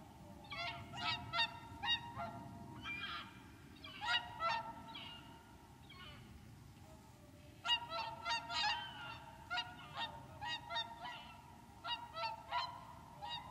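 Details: Wintering whooper swans (Cygnus cygnus) at Lac du Der in Champagne, France, on 30 January: a chorus of loud, bugling honks with rich harmonics, overlapping in bursts from several birds, with brief lulls between groups of calls.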